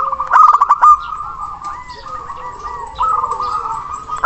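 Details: Local zebra dove with a big, long-breathed voice calling a rival: a few loud clipped cooing notes at the start, then a long stretch of softer rolling, bubbling trills.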